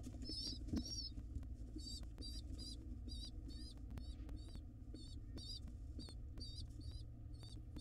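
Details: Begging squeaks from wild pigeon nestlings as the mother feeds them in a nest box: rapid, high, quavering notes repeated in quick clusters, roughly four per second, over a constant low hum.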